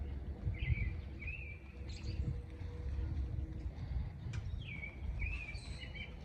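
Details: Male grackles displaying, giving shrill notes: short squeaky, slurred whistles repeated in pairs with sharp rising squeals, over steady low wind or traffic rumble.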